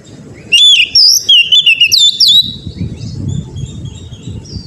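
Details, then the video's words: Oriental magpie-robin song played to get a kept bird singing: about two seconds of rapid clear whistles, looping slides and short chips in quick succession, then fading into low rumble. "TERAPI KACER BAHAN AGAR CEPAT GACOR NGEPLONG"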